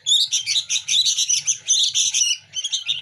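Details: Local sooty-headed bulbul chicks, hand-fed daily, compete for food with loud harsh chattering begging calls in rapid overlapping bursts, briefly pausing once, over a faint low hum.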